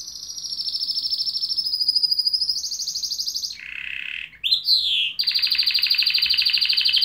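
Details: Close canary with a continuous rapid trill that steps upward in pitch, breaks into a harsh buzz and quick slurred notes, then resumes a fast, even high trill.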